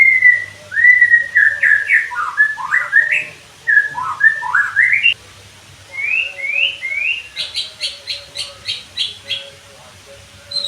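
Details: Training audio of white-rumped shama meant to make birds sing often and fire rapid 'nembak' phrases: rich whistled notes sliding up and down, a string of rising slurs, then about eight quick buzzy high notes, over a low hum.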